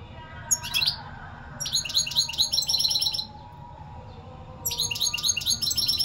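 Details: European goldfinch song: an opening single chirp, then a long sequence of quick bright repeated notes, a pause, and another lively tinkling run.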